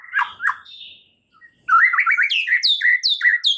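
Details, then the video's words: A white-rumped shama delivers a lure song used to push a stressed bird into lively singing: a few rough opening notes, a short gap, then quick repeated chips and high downslurred whistles in a rapid run. "PANCINGAN Murai Batu satu ini mampu Atasi Murai STRESS seketika jadi GACOR NGAMUK"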